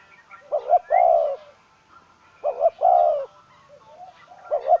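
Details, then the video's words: Decoy spotted dove gives mellow coos, two quick short notes then a long drawn coo, twice in close succession before a further phrase begins, with soft distant bird chirps behind. "Tiếng chim cu gáy mồi"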